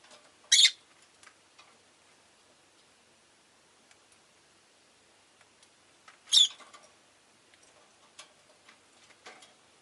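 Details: Caged rosy-faced lovebirds: two isolated loud, harsh screeches about six seconds apart, separated by quiet stretches of faint ticking and low chatter.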